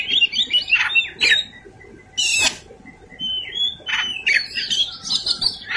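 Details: Oriental magpie-robin (kacer) in combative fighting song with varied fill-in material: whistled slurred phrases broken by loud harsh screeching bursts and rasping chatter.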